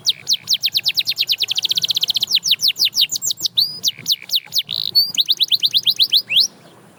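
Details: A canary sings to set other canaries singing again, rattling off quick downward-swept whistles that accelerate into a tight trill, break into a few varied notes, then resume a brisk repeated series.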